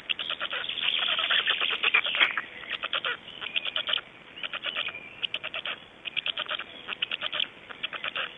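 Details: Black storks in Estonia on 26 May 2012 at 05:15, giving dry, rapid wooden clattering in bursts of fast pulses, several bursts over eight seconds, with short pauses between them and a faint hum beneath.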